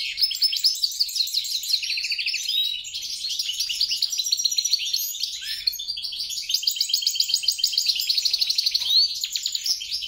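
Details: European goldfinch × grey-crowned goldfinch hybrid mule in continuous song: rapid tinkling chirps running into rattling trills and short buzzes, a brief dip near the middle, then more dense twitters.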